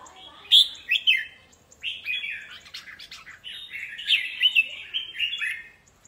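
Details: Three red-whiskered bulbuls on a display stand fight and trade bright, warbled, bubbling phrases in quick bursts, overlapping in close rivalry, with no other clear sounds.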